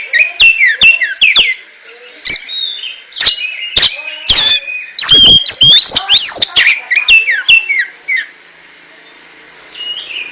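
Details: Oriental magpie-robin performing ngentrok song: short whistled phrases and clicking ticks, then a loud cluster of harsh, buzzy rasps and fast sweeping notes, tapering into softer phrases.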